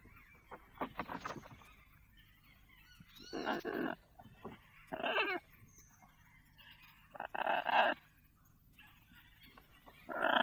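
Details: Captive pet lorikeet calling in a house kitchen: a string of broad, grating squawks one to three seconds apart, with quieter clicks and chatter in between and a low steady hum behind.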